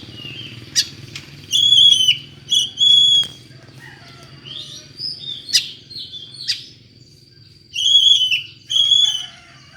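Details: Odd-voiced Oriental magpie-robin singing to lure another magpie-robin: loud clear whistled phrases with harmonics, broken up by short sharp clicks and buzzy slurred notes, and pauses between bursts. A constant high whine and faint low hum run underneath.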